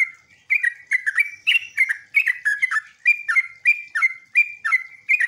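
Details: Sooty-headed bulbul lure song meant to make other bulbuls answer in turn: after a quiet half second, an even stream of liquid, slurred chirps, each dipping and rising, follows at a brisk pace.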